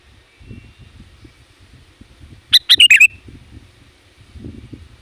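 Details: Sooty-headed bulbul luring wild birds, with a quick burst of several bright, bubbly notes in the middle. Soft low rustling and knocking sounds are heard before and after.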